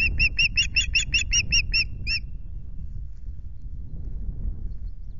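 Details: Osprey at the RSPB Loch Garten nest, 26 May, on the female Asha's difficult day that ended with half a fish, gives about ten shrill piping whistles over two seconds, then falls quiet; steady low wind rumble.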